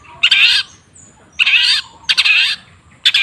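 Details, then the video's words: Cendet (long-tailed shrike) song used to stimulate a bird that has stopped singing. Harsh, grating, buzzy phrases of about half a second come roughly every second, separated by short pauses. "Suara TERAPI pancingan cendet macet supaya rajin bunyi..!!!"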